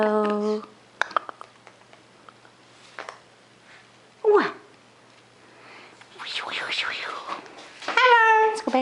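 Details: Pet greater sulphur-crested cockatoo, Big Bird, still fuzzy (young), indoors, gives a harsh downward squawk and warbling, wavering chatter amid a person's talk, then a talking-like 'hello' near the end.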